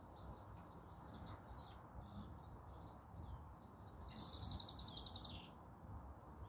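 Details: European robin singing in the morning in a small urban garden bordered by ash trees: high, thin, varied warbling phrases with a louder, fuller burst near the end, over a steady low urban rumble.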